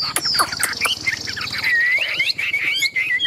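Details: A large, well-tamed Chinese Hwamei kept for singing contests pours out a loud, rich song of fluid slurred whistles and quick trilled phrases, with sweeping rising and falling notes.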